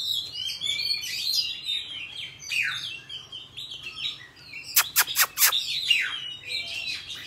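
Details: Forest-voiced song of an Oriental magpie-robin for training young birds: varied whistles and slurred phrases, interrupted by three sharp, very broadband clicks or snaps close together, then the song resumes.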